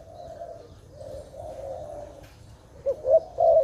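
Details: Dove linked to trapping, tagged Malay dove: faint, drawn-out low cooing at first, then a few louder, sharper bursting coos toward the end over steady low hum.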